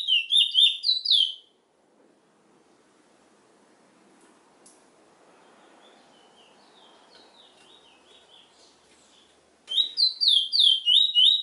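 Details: Chestnut-bellied seed finch, known as the Trinidad bullfinch, gives a burst of fast slurred whistles, then falls silent for about eight seconds of faint background hiss before the rapid warbling phrase returns.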